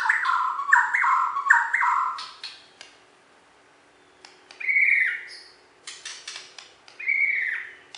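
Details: Caged Bornean white-rumped shama, a champion songbird in West Kalimantan: harsh, repeated chattering notes come in quick bursts, followed after a pause by dry clicks and two rich whistled phrases.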